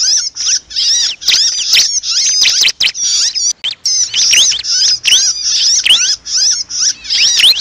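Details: Bar-winged prinia lure recording of a trapped, screaming bird used to attract prinias: frantic high-pitched distress calls of dense squeaky chattering and thin rising whistles, almost without pause.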